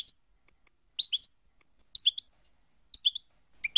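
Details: European goldfinch song section from a compiled tape of approved song passages: short twittering bursts of two or three high, quick notes, repeated roughly once per second, with clean silence between phrases.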